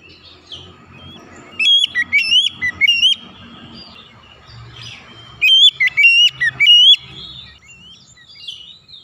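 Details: Oriental magpie-robin song used as a quick therapy to make stressed, silent magpie-robins sing; two bursts of clear, loud whistled phrases with sharp up-and-down slurs over a steady low rumbling background.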